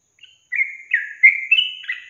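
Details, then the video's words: Yellow-vented bulbul used as a singing lure for young caged birds: a faint short note, then a brief burst of four or five liquid, warbled whistles, slightly rising overall. "Pancingan Trucukan SUSAH BUNYI, BAKALAN dijamin dalam menit saja langsung NYAUT GACOR"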